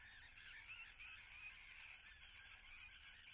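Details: Nesting common terns at Atlit, Israel, recorded 10 June 2010. Many birds call at once in a steady wall of rasping, high-pitched cries, repeated rapidly and irregularly.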